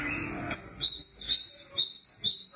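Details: Java sparrow song of high, clear chirping notes starting after a brief low murmur, delivered as quick repeated phrases that drop slightly in pitch, about two per second.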